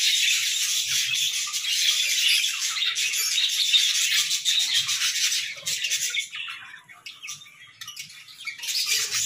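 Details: Morning song of a group of pet budgerigars, a thick buzzy chatter of rapid clicks and scratchy notes that thins out and fades after about six seconds, then swells again near the end; soft low bumps underneath.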